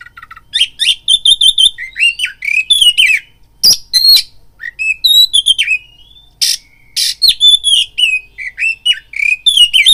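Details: Oriental magpie-robin song played as a fighting lure to rouse other birds: rapid varied whistled phrases, repeated chirping trills, and harsh raspy bursts in near-continuous delivery.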